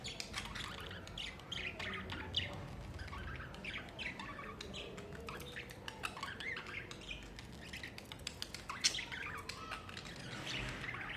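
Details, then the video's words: Pet budgerigars in summer chatter steadily for over ten seconds, mixing sharp clicks, squeaky chirps and rolling warbles, with occasional louder ticks. "Summer Chilling With Budgies"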